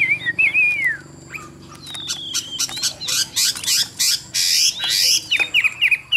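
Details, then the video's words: Chinese hwamei from a Vietnamese bird trader opens with wavering whistles, then a long thin descending note, followed by bursts of harsh, noisy rasping sounds and short closing whistles. "Họa Mi Dáng Dấp Bóng Bộ Đẹp, Hót Tốt Giọng Hay"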